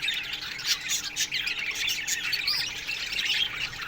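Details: Budgerigars in an aviary during the morning, harsh squawks and high trilled chirps layered over the steady chatter of the colony.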